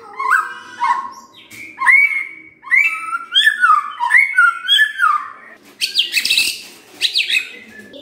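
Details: White-rumped shama song used as a lure to provoke rival birds: rich whistled phrases rising and falling between low and high notes, repeated in quick bursts, ending with harsher high scratchy notes.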